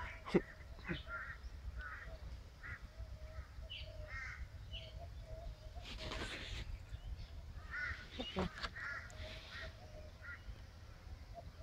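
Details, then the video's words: An angry black swan, about to attack and having run up to peck at wood, gives short nasal bugling notes repeated irregularly with breathy hisses between, over a low background rumble and a brief human voice. "Angry Black Swan"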